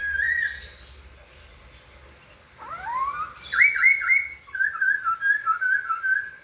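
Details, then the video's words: White-crested laughingthrush with a short harsh note, then rising whistled slurs building into loud looping warbles and a run of rapid wavering whistles. "kicau burung poksay"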